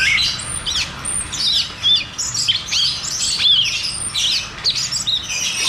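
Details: High-pitched cucak cungkok song in 'ngeroll tembak' style, played to caged birds that have gone quiet. Twittering notes tumble rapidly, with short flat whistles among squeaky chirps.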